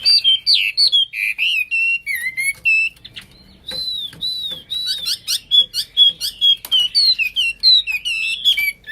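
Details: Wambi, the Hwamei, in full nonstop song: varied loud whistles and clipped chirps run continuously, bright and high, with rapid sharp notes in the second half.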